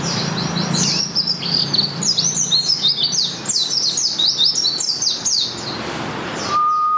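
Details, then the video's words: Malang white-eye (pleci) singing in the morning, a fast run of high, twittering downslurred notes packed closely together, ending with a steady tonal beep. "suara merdu pleci malang"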